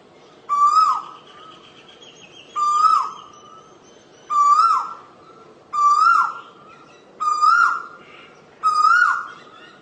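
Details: Asian koel calling: six loud, clear whistled notes, each sliding up then dipping, repeated about every two and a half seconds over a faint steady background hiss.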